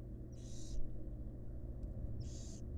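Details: Two short, coarse hisses about a second and a half apart, heard in a monitored wild barn owl nest box during a female's feeding of her fledglings, backed by a low continuous hum.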